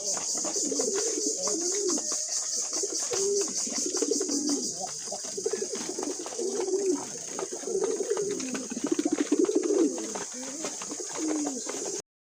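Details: Several pet pigeons coo almost without pause while eating, a run of low, bubbling, rolling notes that rise and dip, over a continuous high whining drone.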